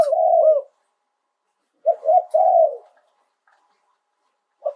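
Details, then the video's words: Live cooing of a Spotted dove, 'โยน 2 กุก' song style. One drawn-out low coo is followed after a pause by a stuttering double coo that runs into a longer, wavering note. Quiet stretches separate the phrases. "โยน 2 กุก คารมเด็ด เสียงนกเขาใหญ่ ขันสด"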